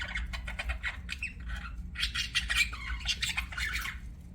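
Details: Budgerigars chatter in quick, scratchy chirps, a short pause and then a busier burst of warbling, with a low background hum.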